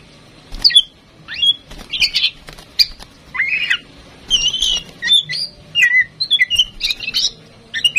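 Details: Female oriental magpie-robin, tame and kept to prompt other birds into singing, delivers a lively, continuous stream of varied chirps, slurred whistles and buzzy notes in rapid bursts, changing pitch constantly throughout.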